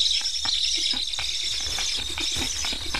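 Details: Black stork nestlings in Estonia, wearing newly fitted transmitters, begging persistently as unfed hungry chicks; a continuous raspy, hissing high chorus with faint clicking underneath, steady for three seconds.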